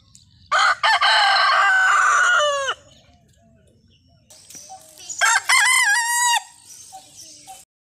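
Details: Two loud rooster crows about three seconds apart, each a harsh, ringing cock-a-doodle-doo with a drawn-out falling finish, faint background rustle between them.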